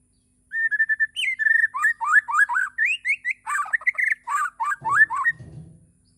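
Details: Morning song of a Bornean white-rumped shama: steady repeated whistles open into varied rising slurs and chattering, scratchy notes, with a low rumble near the end.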